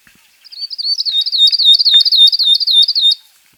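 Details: Loud Northern grosbeak-canary phrase from a bird of Ethiopia, Kenya and Somalia: a rising lead-in followed by a steady, fast series of twisted whistled notes about four per second, lasting under three seconds, with one faint click.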